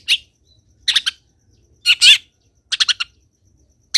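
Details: Long-tailed shrike in full energetic song, played to prompt other shrikes to sing: rough, buzzy bursts and quick triple chattered notes roughly every second, separated by clean silence.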